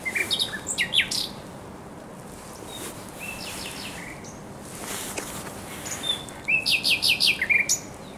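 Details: Thrush nightingale singing at the Żerań Canal on 24 April 2022 in spring: a burst of sharp high notes and whistles opens, a pause follows, then a fast series of six or seven repeated clicking notes.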